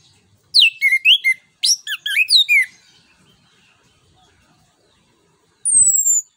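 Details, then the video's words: Orange-headed thrush (anis kembang) singing boldly as a lure for other birds: two rapid bursts of sharp, steeply dropping whistled notes and quick trills, then a pause and one thin high descending whistle. "ANIS KEMBANG NGEPLONG NEMBAK BUAT PANCINGAN"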